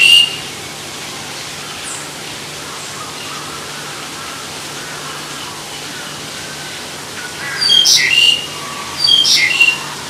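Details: Black-collared starling: a long quiet stretch, then a short cluster of sharp, high whistled and chattering notes near the end, over faint steady hiss.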